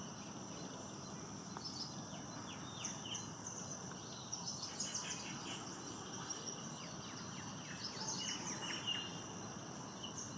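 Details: A wintering grey wagtail in Bangalore, India, on 16 October 2021, unusually sings in winter, a song quite unlike its sharp winter call: thin, high, sharp chirps in loose bursts over a steady shrill insect drone.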